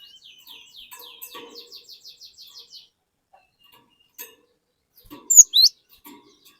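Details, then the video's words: Cinereous tit luring untrained birds into singing: a steady string of soft, rapid, slurred chips repeated about four per second, then silence broken by two loud, sharp high whistles. "Burung Glatik Gacor Memancing Glatik Bahan Agar Ikutan Gacor Ngeplong"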